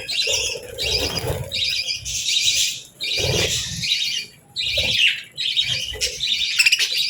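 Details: Pet budgerigars in the morning, feeding and bathing in natural light; dense overlapping chattering warbles and squawky chirps, broken by short pauses, with low bumps of movement beneath.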